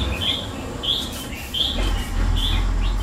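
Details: Caged red-whiskered bulbul, kept two years, repeating a brief clear whistled note about four times in three seconds against loud low background rumble.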